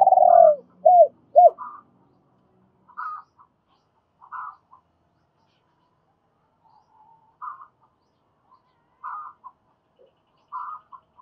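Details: Spotted dove used as a lure bird, calling in a double voice to draw in wild doves: three low arched coos open the clip, then soft, higher hoarse notes recur every second or two. Faint low hum at the start.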